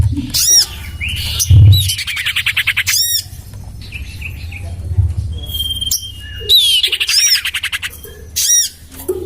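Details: Lure call of the common iora, tested in a garden beside a house: bursts of rapid harsh chatter and sweeping notes, a long thin whistle curving downward, and a low rumble underneath.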